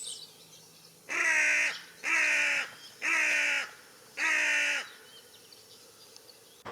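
A carrion crow gives four harsh, rasping caws, roughly one per second, each drawn out and slightly flattened, with faint background hiss between them.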